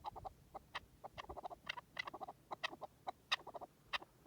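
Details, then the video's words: Partridge calling in the wild: a busy run of short, dry clucking notes, some sharp and bright, others lower and softer, coming in irregular bursts through the clip over a faint background hiss. "Pure Partridge Calls in the Wild"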